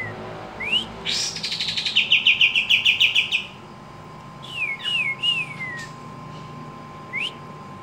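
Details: A Javan kingfisher calling actively: a fast, loud rattling trill of evenly repeated high notes, about five per second, preceded and followed by sharp, down-slurred and up-slurred whistled notes, with a steady faint hum behind.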